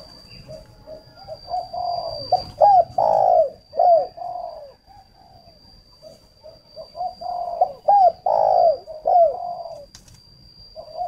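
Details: Spotted dove used as a decoy, cooing in two long phrases of soft low notes rising into loud clipped and drawn coos, separated by a short lull, with a steady high tone throughout.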